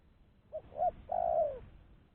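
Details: Spotted dove giving its lure call for catching doves: a short soft note, a brief rising coo, and a long drawn coo falling in pitch at the finish; background otherwise quiet.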